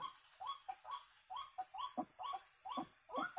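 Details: Trapper's lure for a white-breasted waterhen: hoarse, rasping croaks repeated in quick succession, some notes doubled, all in a steady pulsing rhythm.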